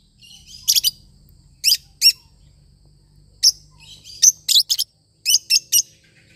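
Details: A lovebird parrot sings in bursts of harsh high chirps and chattering twitters, grouped in twos and threes with brief pauses.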